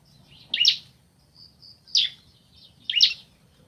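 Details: Bar-winged prinia, male and female answering each other; three loud separate high chips about one second apart, with faint soft notes between them and a low background hum.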